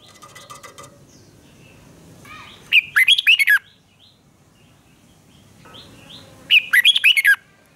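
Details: Red-whiskered bulbul in heated duel song: two bright bursts of fast, up-and-down whistled notes about four seconds apart, with a soft buzzy trill at the start and faint whistles from other birds between.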